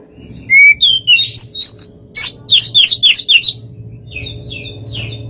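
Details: White-rumped shama singing to stir another bird into responding: clear rising whistles, then a rhythmic series of six or seven sharp repeated chirps, and softer notes over a low hum.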